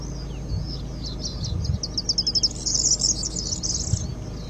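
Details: A corn bunting (Emberiza calandra) at Sandwich Bay Bird Observatory sings a high, dry phrase of a few ticking notes speeding into a shimmering, jangling rattle like shaken keys, over low wind rumble.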